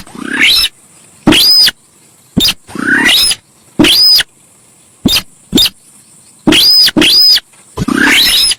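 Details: Loud grating screeches and short clipped notes from a Javan pied starling, used as a bird-luring sound. The bursts recur unevenly, several carry a brief thin whistle, and a steady high-pitched hiss runs throughout.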